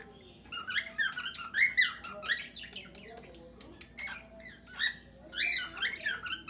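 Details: Several cockatiels in an aviary they share with noisy budgerigars, singing their natural sounds: continuous overlapping squawks and rising-falling warbled chirps, fairly dense throughout.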